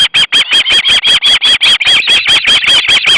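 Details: Three hungry osprey young, two fledged some days earlier, call at the nest when the male arrives with fish, August 2012: a nonstop rapid stream of loud, shrill, squealing whistles, almost three a second.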